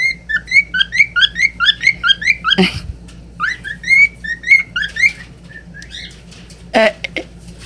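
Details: A cockatiel singing while its owner coaxes it to say "pretty birdie" whistles a quick run of bright, slurred rising notes, about four per second, then slower warbled phrases; two sharp knocks break in.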